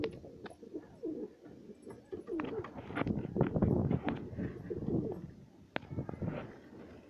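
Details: Home-bred satinette pigeon pair kept for breeding, giving dense overlapping low coos that swell loudest midway, mixed with wing flutters and scattered clicks.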